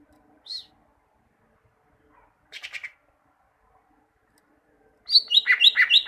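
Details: Greater green leafbird song meant for training caged birds to sing: a lone high chip, a short buzzy trill after a pause, then a fast burst of rising and falling chirped notes at the end, against near silence.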